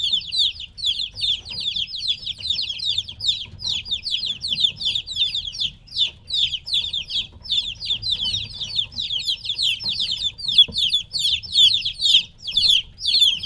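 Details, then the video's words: Three-week-old chicks away from their mother produce a continuous flood of sharp, high peeps, each dropping in pitch, many voices overlapping at a rapid pace, with a soft low background hum. "LITTLE CHICKENS CHIRPING NOISE"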